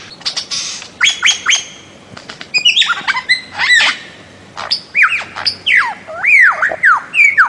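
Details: Bird-of-paradise uttering harsh, ringing squawks and clicks, then a run of looping, down-slurred whistles in quick sequence.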